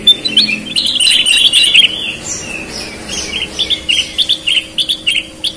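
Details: Persistently singing sooty-headed bulbul. A dense burst of slurred chatter in the first two seconds gives way to evenly spaced short whistled notes, roughly three or four a second, over a faint constant hum.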